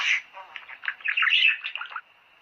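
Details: Budgerigar warbling to encourage breeding, a fast, slurred chatter of squeaky and scratchy notes lasting about two seconds, then fading to quiet.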